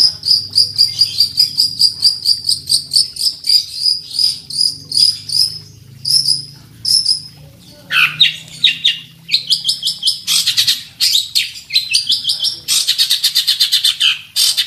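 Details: Long-tailed shrike (centet), a fighting bird in full masteran song, singing loudly as if seeking a rival: fast trains of high, thin repeated notes, then a pause and bursts of downward-sweeping, buzzy phrases.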